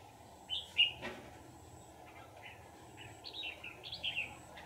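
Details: Trapped wild Red-whiskered bulbul, later set free, delivering separate clear whistled phrases, some sliding upward, spaced through the recording, with a brief rustling thump early and steady low hum beneath.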